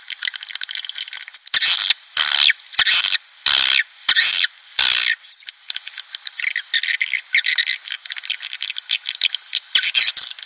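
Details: Swiftlets chattering in a lure recording played to attract breeding colonies into a nest house. It opens with five loud, regular buzzy blocks, then thinner rapid twittering continues throughout.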